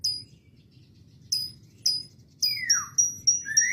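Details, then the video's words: Canary song with lovebird imitation fill-in: sharp high chips at intervals, then a long downward-sliding whistle followed by a quick series of high piercing notes. "ketemu kenari isian lb istimewa perihh"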